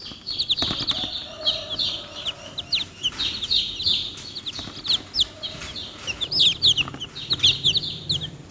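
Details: Chicken chicks keep up a lively, continuous chorus of high falling cheeps, many birds overlapping, with soft rustling and tapping underneath.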